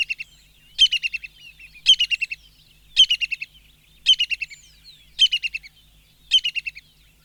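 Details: Brown-hooded Kingfisher giving short, high, rattling bursts of sharp notes that tumble downward, roughly once a second; this sound can be mistaken for a tree squirrel.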